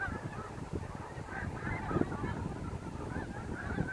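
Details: Snow geese landing at sunset on the Saint Lawrence River, autumn 2017; a noisy mass of short, high nasal honks from many birds at once, backed by rumbling wind.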